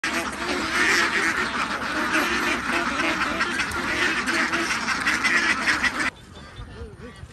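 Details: Huge flock of young domestic ducks on a farm, a dense, unbroken chorus of overlapping raspy quacks and chatter that ends abruptly near six seconds, leaving a quieter background.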